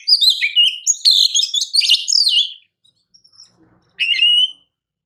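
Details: Master training song of a champion Oriental magpie-robin: burst of loud varied whistles and rattling notes for two and a half seconds, a silence, then one more sweeping whistled phrase.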